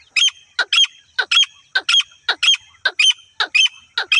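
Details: Female grey francolin, its call used in hunting, repeating loud grating double notes in an even, insistent rhythm, close and clear over silence.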